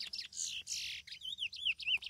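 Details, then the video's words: A chestnut-bellied seed finch sings a rich run of high notes: first a few buzzy, scratchy phrases, then clear whistled notes that slur up and down in quick succession. "curió guerreiro na pegada"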